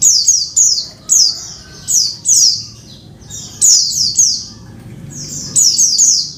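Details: Female oriental white-eye calling the male, giving high, thin, buzzy calls that slide downward, often in quick pairs or triplets, repeated in bursts about every second.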